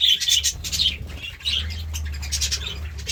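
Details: Morning chirping from a budgerigar: rapid, high, twittering notes run almost without a break, with a steady low hum underneath.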